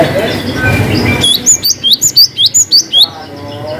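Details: Cinereous tit in full 'wucit panjang ngalas' song, used to prompt reluctant birds: a fast string of about ten bright two-part whistled notes, evenly spaced, after a stretch of murmured noise.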